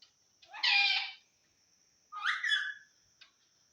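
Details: Assamese talking parrot giving two separate harsh, buzzy utterances about one and a half seconds apart, the second with a rising, voice-like inflection; a steady high electronic whine runs underneath throughout.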